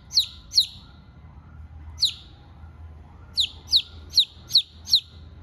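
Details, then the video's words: A hungry chicken chick calls for its mother with shrill, downward-sliding peeps: two close together, one alone, then a run of five evenly spaced cries. "chick: Mom, I'm hungry"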